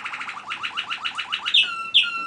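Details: A male Waterslager (Malinois) canary sings while his brother stays silent: a fast series of about fourteen rolling, bubbling notes, then two sharp bright notes that each drop into a long clear whistled tone.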